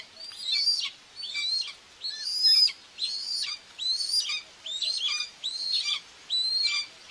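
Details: At a Hungarian nest in Tiszalök, a common buzzard mother feeds her two chicks on June 2, 2024, filmed by a nest cam; sharp, high, slurred whistles rise then drop, repeated a little more than once a second.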